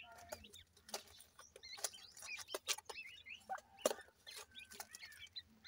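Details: Grey francolin chicks, Punjab, Pakistan: high, brief chirps with small upward and downward flicks, repeated irregularly among crisp clicking sounds and faint hum.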